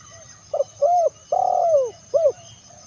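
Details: Spotted dove phrase meant to attract other doves: a quick double note, a rounded coo, a long slurred coo falling at its end, and a short closing coo.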